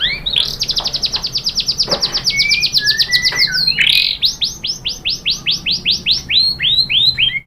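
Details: White-rumped shama lure song to draw other shamas into singing: a long fast rattle of about twenty repeated sharp notes with soft whistles beneath, then a slower series of loud ringing chips.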